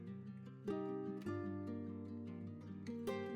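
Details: Plucked acoustic guitar music with sustained chords and no animal voices.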